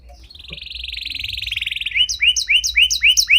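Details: Panda canary singing a 'cengkok mewah' lure song for training other canaries: a long rattling roll rising in loudness, then evenly spaced bright upward-curving whistles repeated about four per second.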